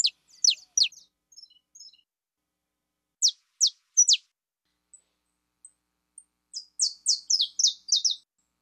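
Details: Saffron finch delivering several phrases: high steeply falling notes, soft quieter chips, three louder swoops, then a faster tumbling run of overlapping descending notes at the end.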